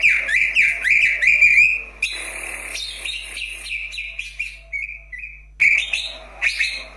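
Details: Greater green leafbird, kept as a cage bird, song used to stimulate lazy birds to sing: loud bright warbled whistles with rapid chattering phrases, then a pause and a series of short whistled notes, several other birds faintly in the background.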